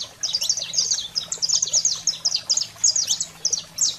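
A saffron finch sings a fast, unbroken run of sharp, high chips and short buzzy trills, several notes each second, over a faint low hum.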